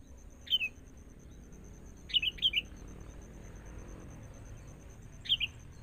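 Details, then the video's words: Forest-caught sooty-headed bulbul being trained alongside a decoy bird: short bright two-part chirps, each dropping in pitch, given singly and in a quick pair with long quiet gaps, over faint low background rumble. "Proses.. Melatih Kutilang Mudah Hutan.."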